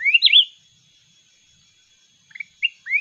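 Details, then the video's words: Mountain red-whiskered bulbul dueling in song: a rich rising-and-falling warble opens, then silence, then short chirpy notes and a rising whistle begin the next phrase. A faint steady tone runs throughout. "chào mào núi hót đấu giọng cực ngọt"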